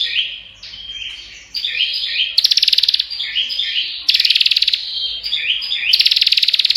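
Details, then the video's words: Continuous prenjak (prinia) song: stepped, chirping twitters give way to dense buzzy rattles of fast high ticks, the pattern repeated three times in quick succession. "Burung Prenjak Ngocehh Parah Suara Rapat Gk Berhenti!!"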